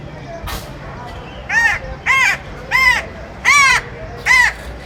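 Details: Crow cawing in a steady series: five harsh, nasal caws spaced roughly every 0.7 seconds, with a soft background hiss between them.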